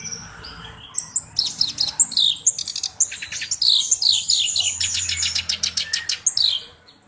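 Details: Black-browed reed warbler singing vigorously, a bird kept as a song tutor. It gives a rapid, harsh chattering song of high buzzy notes and repeated dry rattles, with short whistled slurs between bursts.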